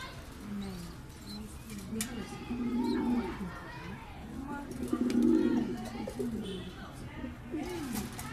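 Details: A pair of pigeons perched on top of a cage give low, throaty rolling coos, repeated in soft swelling phrases.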